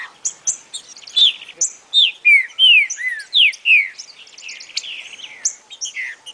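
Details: Green-winged Saltator song used to train a young bird, loud, clear whistled phrases slurring downward, repeated quickly, with thin high chirps and twitters layered over them.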